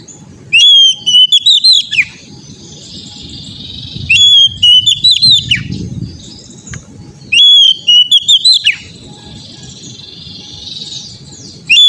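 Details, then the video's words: Oriental magpie-robin song for training an untrained young bird: loud whistled phrases of several rising and falling notes recur roughly every three to four seconds, separated by a low rumbling background with a faint steady tone. "TERAPI KACER BAHAN AGAR CEPAT GACOR NGEPLONG‼️COCOK UNTUK BURUNG KACER"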